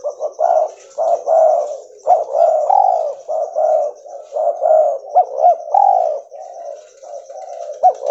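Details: White albino mutation spotted dove (tekukur) calling continuously. Overlapping low coos and bubbling doubled notes run without a break for several seconds, with a faint steady high whine behind.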